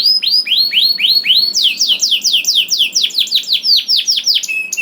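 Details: Canary singing as a master recording to prompt other canaries: repeated arched whistled notes about three per second, speeding into a steady series of falling sweeps, ending on a short flat whistle.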